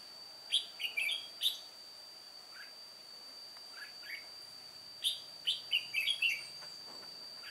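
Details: Red-whiskered bulbul, white-cheeked type, old decoy bird singing solo while trapping, 1 July 2018; bouncy phrases of four or five rapid whistled notes, a quieter stretch between, against a steady high whine.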